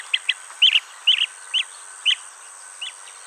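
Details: A blue-tailed bee-eater at its nest-hole, where the male brings insects caught mid-air to its mate, gives short, rolling, burry chirps, about seven in three seconds at an uneven pace, over a steady thin high-pitched hiss.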